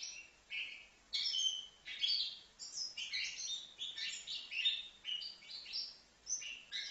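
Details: Juvenile European goldfinch, five months old, at Livno: a short chirp, a pause, then a long run of lively high twittering notes in quick succession with varied pitch.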